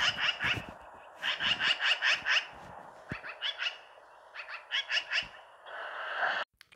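A swallow twitters in quick runs of bright, high chirps, four or five notes per burst with short pauses between, ending in a brief buzzy rasp.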